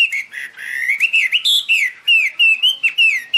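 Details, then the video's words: Chinese hwamei delivering high, pure song while flicking wings and fanning its tail: loud looping whistled notes that slide up and down, given in short repeated bursts with brief gaps. "Birds Garrulax canorus high vocals and pure"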